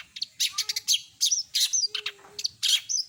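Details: Long-tailed shrike (cendet) in active song with full mimicked repertoire: a rapid jumble of high chirps, squeaks and scratchy notes with a few steady low whistles woven in.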